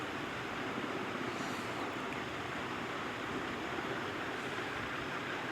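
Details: Continuous hissing noise like wind or surf fills the recording, with no animal voice heard.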